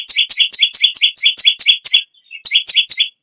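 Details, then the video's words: A bar-winged prinia sings high, sharp chirping notes in a fast steady rhythm. A brief gap holds a couple of quiet twitters, then three more loud chirps follow. "BURUNG PERENJAK BAWAH/LUMUT GACOR NGAMUK PARAH"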